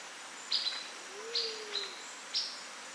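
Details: Sunbird in its natural habitat: four short, high, sweet chirps spaced about a second apart, with a soft low rising-falling hoot from another bird in the background.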